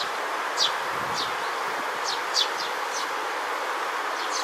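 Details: Juvenile Eurasian tree sparrow in a green space on 3 July 2022, preening and dozing; short, thin, high chirps come singly and in pairs about every half second to a second over a steady broad hiss.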